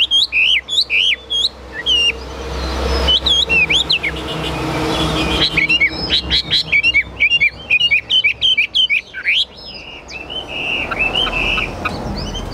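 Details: Caged Chinese hwamei singing high and loud: bursts of quick, sharply bent whistled notes and rapid trills, broken by a softer stretch with a low rumble like passing traffic.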